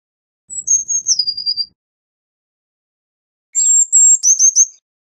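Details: Eurasian blue tit giving two song phrases: high notes falling into a short fast trill, then after a pause a stronger phrase of sharp high notes with rapid stuttering pulses.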